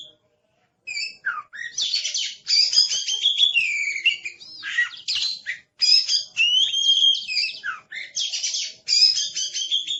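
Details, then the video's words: Oriental magpie-robin described as aggressive, starting after a second of silence with a rapid, continuous medley of high whistles, twangy slurs and scratchy chirps in uneven phrases. "Suara Master Burung Kacer Galak"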